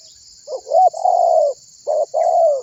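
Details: Persistent spotted dove calling other birds to sing along, a lure recording: a soft lead-in, then a long, slightly falling hollow coo, followed by a short coo and a second drawn-out descending coo, with a constant high hiss behind.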